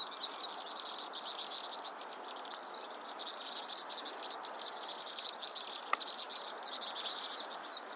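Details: Vinous-throated parrotbill calling: rapid high chirps about four per second over a continuous shrill chatter, with thin wavering whistles toward the end.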